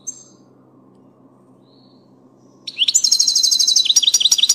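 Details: Song of a European goldfinch, subspecies parva: after a long near-silence, a burst of quick, high, tinkling trills and squeaky slurred notes starts late and runs to the end, with nothing else audible.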